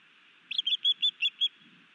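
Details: Male osprey in Hellgate Canyon, Missoula, Montana, in May 2019, doing a sky dance and delivering a fish to the female at the nest; six sharp, high whistled chirps in quick succession, then quiet.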